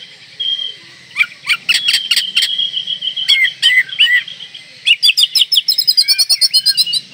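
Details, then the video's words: Oriental magpie-robin in breeding condition singing to provoke rivals: clicks and buzzy bursts, a sustained whistle, curling whistled notes, then a fast rattling trill of repeated chips. "Kacer Gacor Full Isian Mewah Merangsang Birahi Agar Tetap Gacor Ngobra Dan Lawan Jadi Emosi"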